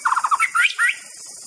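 A White-rumped shama sings a quick run of five low, rich notes, then two clear whistles that slide upward, over a steady high hiss.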